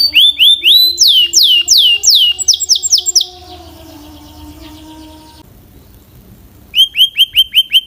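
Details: Belgian canary with a clear, powerful voice: bursts of rising and falling whistled notes, a quiet stretch with a low steady hum in the background, then a final series of repeated upswept chirps.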